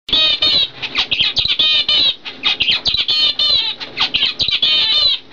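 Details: A 2012-bred normal cock and fawn hen zebra finch kept as a pair; dense bursts of nasal, buzzy chirps and harmonic notes in quick irregular runs with short gaps, continuous chattering throughout.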